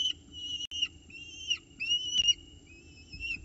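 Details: Peregrine falcon chicks at a nest box in Orange, 29 October 2018, 9:36 am, while prey is delivered and the chicks feed. Thin whistled notes, steady then gently wavering, come in several separate phrases with brief pauses between them.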